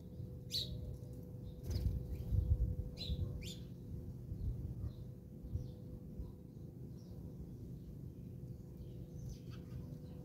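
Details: House sparrows squabbling in South Africa: a few loud, bright chirps in the first four seconds, then only faint scattered notes, over a persistent low rumble and steady hum.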